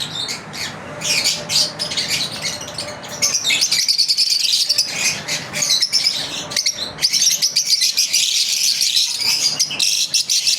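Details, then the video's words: Lovebirds during their daily routine, chirping together: dense, continuous high-pitched chatter of overlapping shrill chirps and squeaks from several birds, pausing briefly and then resuming. "Lovebirds Chirping"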